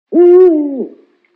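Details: A single low, clean owl hoot, level for most of its length and dipping slightly before it cuts off, against a silent background.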